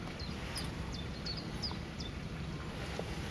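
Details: A common kingfisher recorded in the Lewitz, Germany, gives several thin, high, shrill whistled notes, each brief and slightly falling, over a steady low rumble and a faint high whine.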